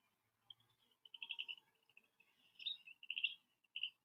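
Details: Black crake call played from a recording at an African waterhole, a bird usually heard calling from reeds near water without being seen: faint, rapid chattering run of high notes in uneven bursts, otherwise quiet.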